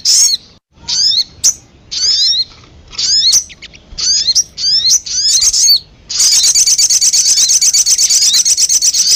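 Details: Sogon bird-luring sound: a series of separate sharp chirps with quick upward and downward slurs, roughly one a second. It ends in a continuous, very rapid, high buzzy trill.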